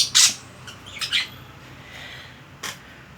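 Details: Pet budgerigar indoors, a loud harsh squawk opening the clip, followed by two quicker scratchy chirps and a softer call near the end, over a low hum.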